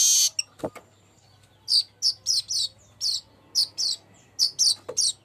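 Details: Golden-headed weaver used as a lure sound for other birds: a burst of hiss and a click, then a run of sharp, high, buzzy chirps in uneven pairs and triplets over a faint steady low hum.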